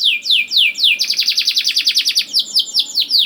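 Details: Canary lure song for young birds: a few slow descending whistles, then a quick, evenly pulsed trill lasting about a second, then more downward-slurred notes.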